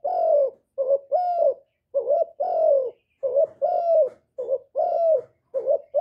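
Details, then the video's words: Spotted dove (cu gáy) lure recording meant to excite other birds into calling: soft low coos in a loose phrase of short doubled notes and longer sliding notes, repeated about once a second, clean without other sounds. "TIẾNG CHIM CU GÁY KÍCH MỒI RẤT HIỆU QUẢ, CU GÁY KÍCH TRỐNG CỰC HAY, GÁY GỌI, CHIÊU, GÙ, BO, CU ĐẤT"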